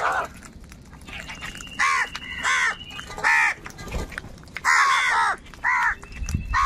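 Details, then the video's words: Crows fighting for food: loud harsh caws in separate bursts of about half a second, roughly six calls spaced unevenly, with faint background noise between them. "কাকের ডাক Crow Sounds"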